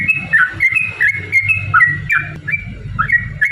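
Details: Yellow-vented bulbul song used as a lure to provoke other birds into singing and fighting: bright whistled notes around a steady pitch, each ending in a dropping slur, repeated rapidly and unevenly, over low rumbling background noise.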